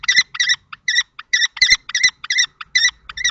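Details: Common kestrel males clashing over a nest box in Théding, France, in March 2024: loud shrill notes in quick groups, each note ringing and slightly chattering, with small gaps and faint knocks.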